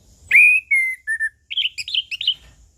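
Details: Orange-headed thrush, known locally as anis kembang or punglor, singing in the relaxed ngeplong style: three clear, loud whistled notes, the first rising then level, then a quick jumble of higher warbled notes.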